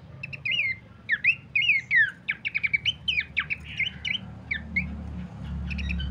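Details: Bush babbler used as a master song for training cage birds: rapid chattering phrases of loud falling whistles and clipped chirps, nearly continuous for several seconds, with a low rumble underneath.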